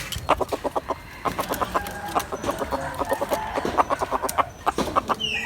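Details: Hen calling: a steady run of short, clipped clucks repeated several times per second in loose bursts across the whole stretch, with a faint hiss of background noise.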